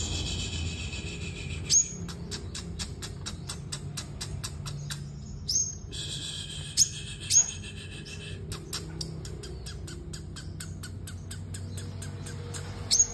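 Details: Sunbird in competitive singing: rapid trains of sharp, high ticking chips repeated in bursts, broken by a few louder, thin, squeaky notes, over a low background hum.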